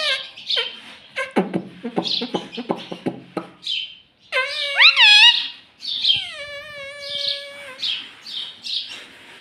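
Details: Talking rose-ringed parakeet repeating "mummy papa": first a run of clipped, chattering syllables, then loud swooping word-like notes and a long steady harmonic tone, followed by softer high chirps.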